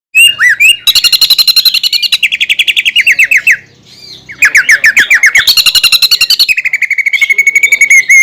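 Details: Greater green leafbird song used as a lure to provoke other leafbirds into singing: loud, varied, rapid chattering phrases, fast repeated notes descending in runs, then a long steady trill of evenly spaced notes.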